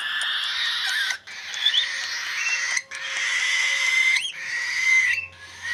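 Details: Cockatiel chicks at play time keep up a raspy, hissing chatter with a few thin whistled notes, broken by brief pauses.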